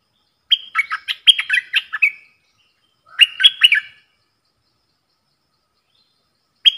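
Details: Singing duel between a caged bulbul of the ดอกแตง style and wild birds, 3 October 2021: a long run of quick chattering whistles, a shorter phrase after a pause, and the start of another at the end.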